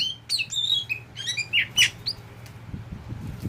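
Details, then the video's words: Pet oriental magpie-robin of the kacer poci type, tame with its keeper: about two seconds of bright, varied whistles and chirps ending in a sharp loud note, then near silence with soft low knocks and a faint hum. "Burung Kacer bagaikan sahabat|Incaran para KICAU MANIA"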